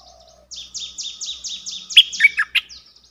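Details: Streak-eared bulbul singing: a series of about eight quick, downslurred high notes at a steady pace, followed by louder, sharper chirps and a short final flourish, in a quiet setting.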